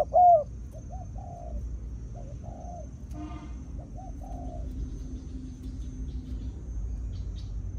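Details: A spotted dove, a wild-caught bird, calls with a decoy bird involved, giving soft, hollow, low coos in a short run of rounded notes, with one louder opening note and a faint hum behind.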